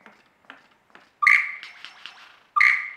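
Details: Australian lyrebird performing mimicry: scattered faint notes, then two loud whistled blasts with sharp starts and steady tones, separated by a burst of quick twittering.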